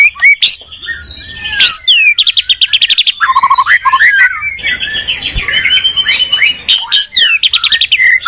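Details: Two white-rumped shamas from Medan and Borneo in a singing duel, pouring out dense strings of rapid whistled trills, rising and falling sweeps and clipped chips with barely a pause between phrases.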